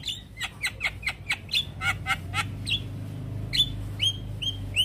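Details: Stressed Javan myna responding to another Javan myna's call, starting with a rapid run of clipped, downward-sweeping chips, then a pause and several separate clear, rising whistled notes, with a low background hum.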